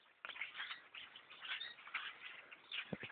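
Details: Thousands of blackbirds crowding a hunter's tree stand while bow hunting; a short burst of massed chattering and high squeaks starting after a quiet moment, with a couple of sharp knocks near the end.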